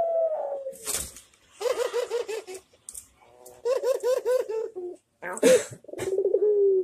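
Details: Barbary dove giving its manggung cooing style, used as a master recording for training birds and said to make others reply: low rolling coos repeated in quick pulsing series, broken by short sharp noise bursts.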